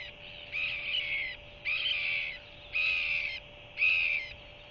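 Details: New Zealand Royal albatross chick, a new hatchling, begs while its mother feeds it by regurgitation before nightfall: four evenly spaced, drawn-out buzzy piping calls roughly every second, with steady background hum.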